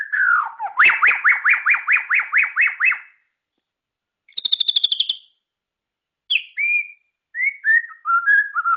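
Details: White-rumped shama, kept for its song by bird hobbyists, delivers a rapid series of about a dozen rising sweeping notes, a high quick chatter after a pause, then varied slurred whistles and warbles.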